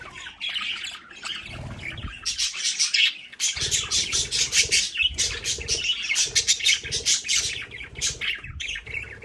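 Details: Pet budgerigars in a play area at home give a steady stream of bright chirps and scratchy warbles, several birds overlapping, with low thuds and rustling, possibly wing flaps, in the background.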